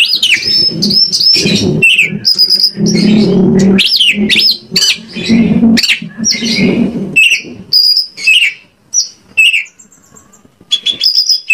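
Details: Oriental magpie-robin (kacer) lure recording from Indonesia, meant to provoke any kacer into singing back: dense, varied high whistles, trills and harsh chirps delivered in rapid bursts, with low rumbling noise beneath and quieter gaps near the end.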